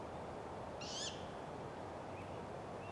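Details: A great grey owl, during a food delivery, gives one brief, high, wavering squeal lasting about a quarter second over a steady hiss, followed by a few faint short chirps.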